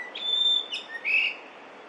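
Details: Yellow-billed grosbeak song in early May 2024, Korea: a bright, pure sustained whistle followed by a short slurred note and a lower rising phrase, all high-pitched and clear against faint background hiss.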